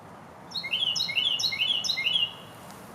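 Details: Carolina wren singing at a regular spot in New York: one bright, rolling three-note phrase repeated quickly four times in under two seconds, loud and ringing, over faint steady background hiss.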